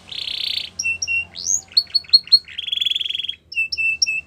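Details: Canary singing a training song: a buzzy burst, then paired clear whistles, swooping upward notes and a rattling trill, closing with repeated short high chips; a soft low hum runs throughout.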